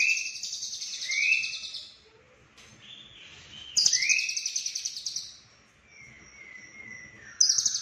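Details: Lovebird from Cililin performing full-fill-in konslet song: long bursts of fast buzzy chattering with upward-sliding whistles, separated by short gaps and a thin sustained tone.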